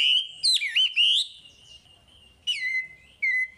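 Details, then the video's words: Chinese hwamei singing vigorously, recorded as a lure to stimulate untrained hwamei: loud, clear whistled phrases with quick up-and-down slurs, a long held whistle, then two short separate whistled notes after pauses; no other sounds. "Suara Wambi Gacor Untuk Pancingan Hwamei Bahan"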